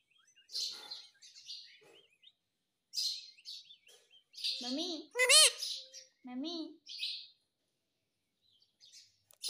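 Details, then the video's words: Pet parrot talking, saying "mummy": breathy hisses, then a run of arched harmonic voice-like syllables rising in pitch, a loud central phrase, and short squeaky notes. "Mummy Mummy bolne wala tota"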